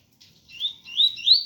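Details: Double-collared seedeater in ganga style with tui tui notes, rain falling: a short run of three sweeping upward whistles, each louder than the last, with faint rain patter beneath.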